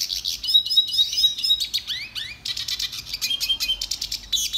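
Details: Song training recording of a red siskin: dense high chattering phrases, quick downward-slurred whistles and rattling trills delivered in a long unbroken stream.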